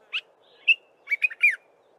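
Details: Early-morning song of a Dark-capped bulbul: a brisk sequence of clear whistled and bubbly notes, a single note then a quick run of three or four chirpy phrases, over a faint constant low drone.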